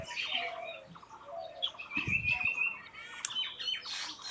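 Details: Mixed birds chirping outdoors: a quick run of very high piercing notes, buzzy trills and whistled phrases overlapping, with a short low rumbling sound in the middle.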